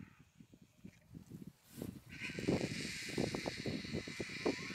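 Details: Hooded vultures squabbling at a lion kill on the third day, with rapid low grunts and thumps that swell into harsh, breathy hissing bursts partway through, over a steady outdoor hiss.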